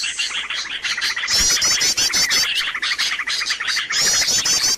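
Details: Noisy birds played as a lure to attract birds: constant high twittering with repeated trilled bursts near the start and end, many birds calling at once.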